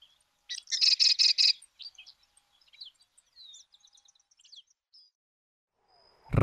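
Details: Argentine Sedge Wren song: a fast series of buzzy, stacked chattering notes, then scattered thin high chips and brief slurs, ending in a sudden loud low thump.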